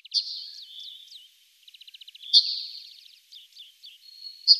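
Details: Yellowhammer singing high, thin, buzzy phrases. A quick trill of about eight repeated notes leads into a sharp, drawn-out, slightly falling note, followed by short slurred chips. The setting is otherwise quiet.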